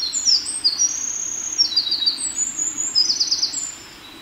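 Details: Eurasian wren song recorded 14 May 2021 in Hiroshima, Japan: a rapid, piercing outpouring of high trills and chattering runs lasting about three and a half seconds, then the bird falls silent, leaving faint low hum.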